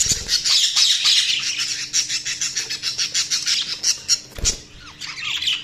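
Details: Budgies chirping in a fast continuous chatter of rapid pulsed buzzy notes, about three per second, with a brief thump partway and a few soft rising whistles near the end.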